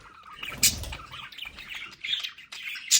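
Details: Home budgerigars in a play area utter brief harsh squawks and high chirps, a sharp note near the start and end framing softer warbled chatter, with a low thump early on.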